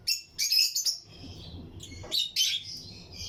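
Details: In a colony aviary of Lutino lovebird pairs, loud piercing chirps come in two short clustered bursts separated by softer twitters.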